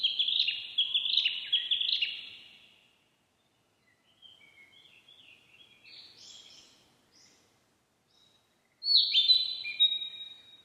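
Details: Narcissus flycatcher singing in the wild: bright whistled phrases of quick slurred notes in short bursts at the start, a softer higher twittering in the middle after a pause, then another loud whistled phrase near the end; otherwise quiet.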